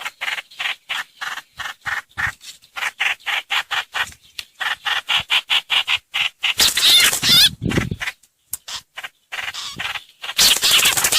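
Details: Streak-eared bulbul lure calls: a long run of short, evenly spaced harsh notes about two and a half per second, followed by louder rasping chatter bursts.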